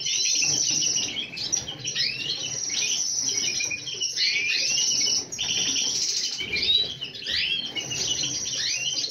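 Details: A group of colourful European goldfinches in lively chorus, a steady stream of bright high twittering, trills and upslurred chirps, overlapping voices with a brief pause near the middle before the chatter resumes.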